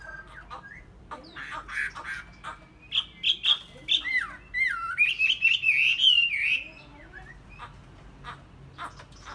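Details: Tame Chinese hwamei delivering a mid-length run of loud whistled and slurred phrases, with scattered clicks and faint background noise before and after the song.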